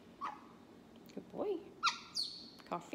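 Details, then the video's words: Pet talking caique, asked what is in a cup of tea, answers "coffee" in short, squawky, speech-like bursts of nasal, harmonic syllables over three seconds, with a person's voice nearby. "Talking Caique parrot"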